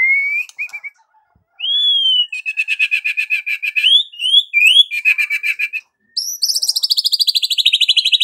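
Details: Energetic white-rumped shama song mixing clear rising whistles with fast rattling trills and sharp upslurred notes, then a short silence. It ends in a long, very high, rapidly pulsed trill that slowly falls in pitch. No other sounds.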